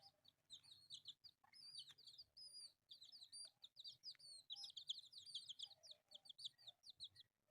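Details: Four colourful pet chicks playing and calling constantly: piercing, descending peeps tumbling over one another, growing busier toward the middle.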